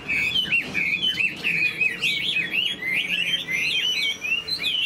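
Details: Chinese hwamei kept in a cage and displaying with spread tail and wings sings loud, liquid, looping whistles. The phrases swoop up and down rapidly and hardly pause.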